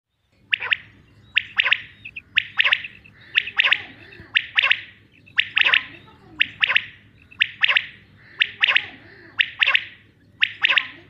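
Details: Male common quail calling: sharp, high, clipped notes grouped in quick doublets and triplets, the phrases repeated about once a second, steady throughout, over a low continuous hum.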